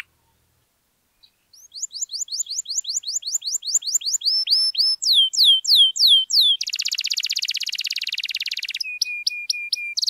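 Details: Canary song, a long lively performance used to prompt silent canaries to sing: rapid repeated downslurred whistles, then rising notes, a fast buzzy trill and a series of steady flat whistled tones.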